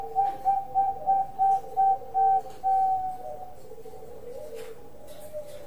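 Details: Bangkok-type zebra dove singing with a big voice: a quick run of about eight short, clear, even cooing notes over three seconds, then fading into softer, lower murmurs.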